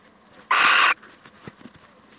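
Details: Male little owl dropping by on a visit, giving a single harsh, broadband screech lasting under half a second, with faint clicks and rustles afterwards.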